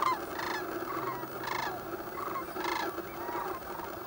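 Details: A Sandhill crane flock stirring at dawn in pea soup fog on the Platte River, Elm Island Road south of Gibbon, Nebraska: loud rattling, bugling calls about once a second over a steady background murmur of more cranes.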